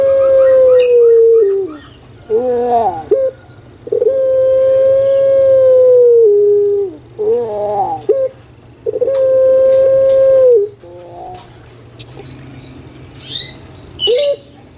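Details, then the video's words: Big-bodied pet puter pelung spotted dove calling repeatedly: long steady resonant notes of about two seconds, each followed by a quavering multi-note phrase, four cycles over fifteen seconds, with occasional clicks. "Suara MENGGELEGAR Postur JUMBO ( Burung Puter )"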